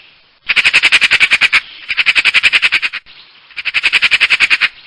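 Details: Eurasian magpie giving loud, harsh, rattling chatter. Three bursts, each of a dozen or so rapid grating notes delivered at about ten per second, with short pauses between bursts.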